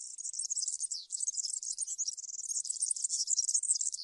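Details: Continuous European serin song in the campero style, a tutoring recording for young serins: high-pitched, fizzing, glassy twitters tumbling without pause for four seconds.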